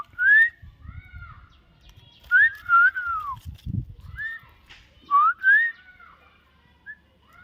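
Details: Common myna, described as a talking bird, giving loud clear whistled notes that slide upward or arch down, often in quick pairs, in bursts a couple of seconds apart over a low background rumble.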